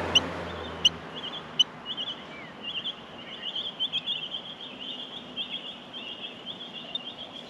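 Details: Australian miner nestlings being fed: three loud sharp chirps open, then a continuous high wheezy chorus of begging that pulses unevenly for several seconds.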